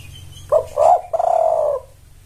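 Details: Spotted dove calling to draw in males: a single phrase of two quick throaty coos running into a longer, steady, slightly falling coo, low-pitched and clear against faint background hum.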